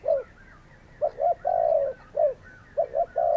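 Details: Spotted doves calling: a low coo, then a short double coo leading into a long sustained coo, repeated, with faint higher chirps in the background.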